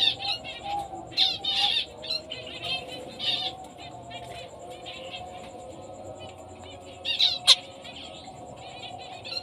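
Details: Fawn female zebra finch, black-breasted and orange-breasted: clusters of short nasal beeping calls, busy at first, then sparse, with a loud sharp note late on and a low background hum.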